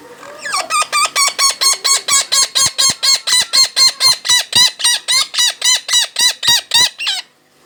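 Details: Captive red-breasted parakeet, native Javan type, hand-raised from a chick and nearly eight years old, giving a fast series of about twenty-five harsh, metallic notes, roughly four per second, evenly spaced, ending abruptly.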